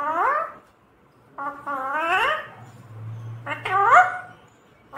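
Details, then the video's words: Pet parrot talking, trained to say "mummy papa": three separate voiced, speech-like syllables with rising, harmonic-rich tones, spaced over about five seconds, with a faint low hum in the background. "Mummy Papa Bolne Wala Tota"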